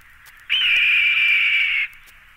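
A Red-tailed Hawk gives one long, hoarse, high scream lasting over a second, slightly rising at the start then sliding gently down. There are no other sounds.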